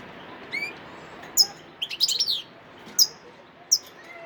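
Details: European goldfinch, a wild bird recorded at Sidi Bel Abbes on 17 December 2021, giving scattered bright high chips and one quick tumbling twitter in the middle against faint low background noise.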